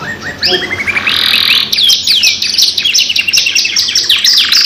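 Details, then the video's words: Energetic canary lure song, long and lively, two-in-one: opens with a quickly repeated rising chip series, then bursts into fast, dense high trills and zigzag notes. "PANCINGAN KENARI GACOR PANJANG 2 IN 1 | CANARY SINGING"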